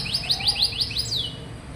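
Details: Canary singing to prompt young, reluctant canaries to sing: a quick series of about six rising whistled notes, evenly spaced, ending in a longer falling slur.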